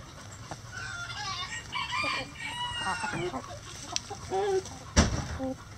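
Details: Rooster in a chicken coop gives a long, arching crow through the middle seconds while hens cluck around it. A sharp knock sounds near the end, and a low hum runs throughout.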